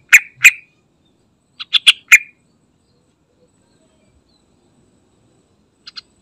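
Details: Yellow-vented bulbul (trucukan) lure recording used to draw other bulbuls into song: two loud, bubbly chirps, a pause, then a quick run of three rich notes, with a faint double note at the end.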